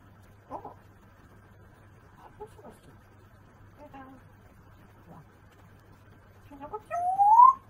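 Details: Pet African grey parrot talking to itself in Japanese, a run of short speech-like syllables with pauses over several seconds, then a loud rising whistle at the end; faint low hum behind.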